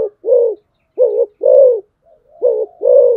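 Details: Decoy spotted dove cooing steadily: deep rounded two-part phrases, a brief note followed by a fuller sustained coo, repeating quickly with short silent gaps and a faint soft note in between.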